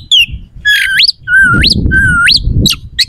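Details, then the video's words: Oriental magpie-robin in full song, played to provoke rival magpie-robins to respond and fight; three loud whistles, each sliding low then curving sharply upward, with brief sharp notes between, over a steady low background rumble. "PANCINGAN KACER AUTO CEPAT RESPON/KACER JADI EMOSI SIAP TARUNG"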